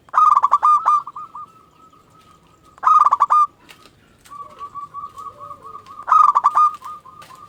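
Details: Local zebra dove song, used to lure other zebra doves into answering: three loud stuttering cooing phrases about three seconds apart, linked by a quieter, drawn-out wavering coo.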